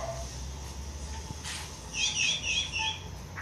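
Pale-breasted Thrush giving a quick burst of short, bright whistled notes, several slurring downward in a second-long cluster, over a steady low rumble.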